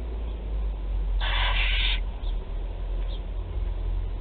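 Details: Barn owl chick at the nest in Théding, France, 16 July 2020, during a feeding of four young: a single harsh, breathy hiss lasting nearly a second over a low background rumble.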